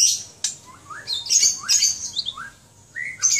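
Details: Pet white-rumped shama from Aceh, Indonesia, delivering a lively phrase of rising whistled notes interleaved with very high twitters and harsh chatters, ending in another upslurred whistle and a high burst.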